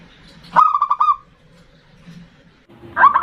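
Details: Zebra dove of a local strain, in a lure recording meant to rouse a rival. It gives a quick trilled run of hooked coos, then a pause with low murmuring background, then a second phrase starting.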